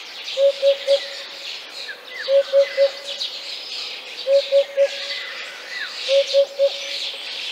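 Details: In Central Russia, a Eurasian hoopoe gives soft, low hooted triplets, oop-oop-oop, repeated about every two seconds, with faint chirping of other birds behind.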